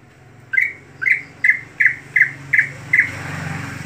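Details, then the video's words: Kept greater green leafbird in its daily, monotonous voice, with no fill phrases: seven short, harsh, squawky notes falling slightly in pitch, spaced roughly every half second, over a low background hum. "Cucak Hijau Harian Monoton Bisakah Keluar Isian Saat Lomba"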